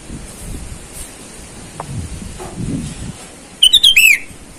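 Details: Sooty-headed bulbul calling rivals in the wild, a lure for wild birds: after quiet rustling and low background noise, one short burst of bright falling whistled notes near the end.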